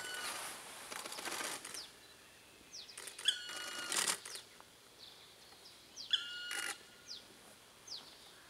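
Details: A black woodpecker in Hokkaido, Japan, gives harsh, rasping bursts mixed with brief clear, ringing notes, a few calls every several seconds, over faint background noise.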